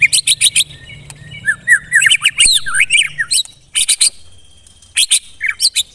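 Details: White-rumped shama (murai batu) of the songbird hobby, kept for training contest birds, giving a 'tembakan rapat' rapid-fire song: dense bursts of sharp, buzzy high notes in quick volleys, broken by short slurred whistles in the middle, with a faint low hum behind.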